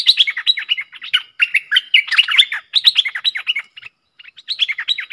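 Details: Lure call of cream-vented bulbul used for trapping, 2 November 2021: continuous rapid chattering of short slurred chirps, one brief gap, then the chatter resumes.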